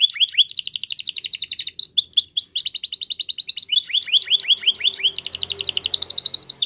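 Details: Canary song used for training young canaries: fast buzzy trills and rolled tours high in pitch, switching between steady rattling runs and repeated downslurred chirps, with a long dense trill at the end.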